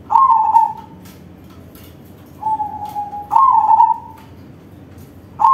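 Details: Crossbred zebra dove with a big singing voice giving vibrating, rolling coos, a strong phrase, then a quieter level note and another loud trilled burst, last phrase starting at the end.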